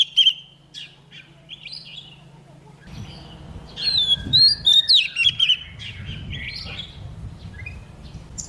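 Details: Female Oriental magpie-robin singing to stimulate males to sing. A brief whistle comes first, then after a low hum a burst of clear, rapidly varied whistled notes in the middle. Softer chirps follow over a background rumble.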